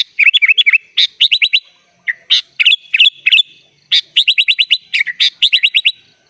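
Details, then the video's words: Prolific 'isian'-style song of a sooty-headed bulbul. Quick strings of hooked whistles and rattled note series, broken by sharp chips and one or two slurred upward notes, with short gaps. "SUARA BURUNG KUTILANG GACOR FULL ISIAN"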